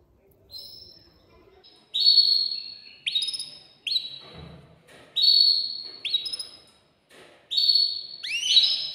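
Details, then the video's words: Excited caged male canary singing to stimulate a female for mating: separate clear whistled notes, each sliding down slightly, in bursts about once a second with short pauses between. "تغريد ذكر كناري هائج يريد تكسير القفص يحفز الأنثي لتزاوج"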